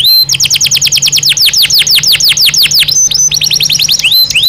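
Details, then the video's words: Belgian canary singing naturally, ideal for daily stimulation: loud series of swooping downward whistles repeated rapidly, varying in speed, with a faint low hum underneath. "Som de 1 Hora com Canario Belga Cantando Naturalmente"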